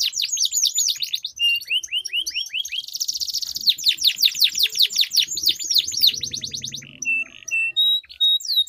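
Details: Long rolled song from canaries singing against each other as a lure for quiet birds: quick descending whistles, a buzzy rattling roll, then bright chirps and sharp rising notes, with faint low murmurs beneath.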